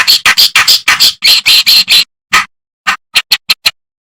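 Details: Master recording of a reed warbler, locally called kerakbasi, meant to train songbirds: rapid rasping chatter notes in an even series, then a pause and a few sparser, shorter scratchy notes.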